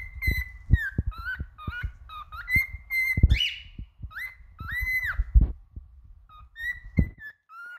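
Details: A male cockatiel whistles a varied song of level and dipping notes, with a strong upward-sweeping phrase and a bowed, arching whistle. Repeated dull knocks and thumps sound throughout.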